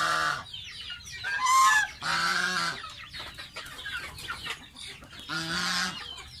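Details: Bathing young pet domestic goose calls repeatedly: several loud, nasal, drawn-out honks in close succession, with steady squeaky chirps and peeps throughout.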